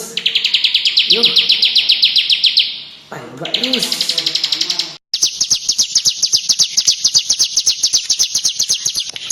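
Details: Tame bar-winged prinia, played with using fingers, delivering a long run of rapid, high, sharp notes, broken briefly by a brief low voice-like sound before resuming.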